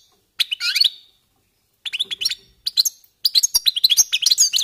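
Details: European goldfinches warming up, singing short bursts of high twittering and tinkling notes separated by silent gaps, growing into a denser run of rapid chirps at the end.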